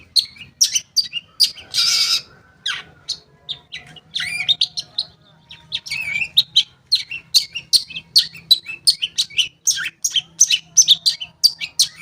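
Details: Long-tailed shrike song as a lure for shrikes that have gone quiet: one long harsh screech, then varied chattering phrases building into rapid sharp high notes, about three per second.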